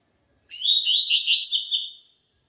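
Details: Double-collared seedeater of the pure tui tui zel zel song style, one rapid phrase of about one and a half seconds, high sweet chirping notes running together and rising at the end, with clean silence around it.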